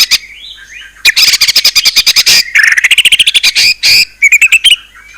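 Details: White-rumped shama song: soft gliding whistles, then dense rapid chattering trills and buzzy notes, ending with clear short whistles.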